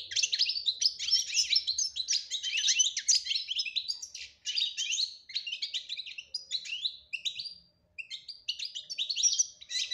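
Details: European goldfinch delivering a 'batbata' song with 'tasfiya' clear notes: a nearly continuous rush of high, fast twitters and trills, with brief breaks around the middle and near the end.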